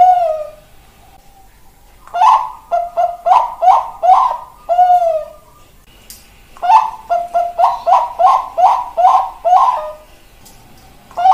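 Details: Zebra dove of the Bangkok perkutut type, recorded 4 March 2023: two bouts of quick stuttering coos, a few longer slurred notes between, ending in a held coo, quiet room background.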